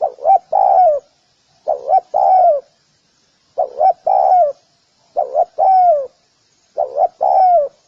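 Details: Rhythmic spotted dove cooing, five phrases about every 1.7 seconds, each a clipped double note and a longer mellow coo sliding down at the end; silent background.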